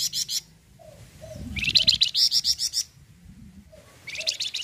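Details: Flamboyan bird in full song, used as a lure to prompt other birds to sing: rapid bursts of high, buzzy, chattering notes in quick series, with softer low whistled notes and faint cooing between bursts.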